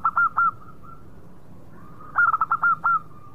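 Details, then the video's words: Local zebra dove cooing: two or three sharp notes, a soft pause, then a lively run of six or seven ringing, hooked coos. "Perkutut Lokal Gacor Suara Mewah"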